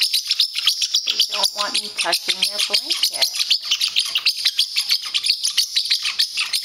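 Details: Territorial pet parrotlet defending his blanket from his owner's hand: steady rapid harsh chattering chirps throughout, with a woman talking to him early on.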